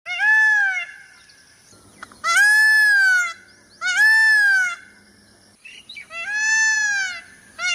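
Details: Peacock giving loud, drawn-out nasal wails, each about a second long and arching up then down in pitch, three main calls with short gaps between and a brief start of a fourth at the end.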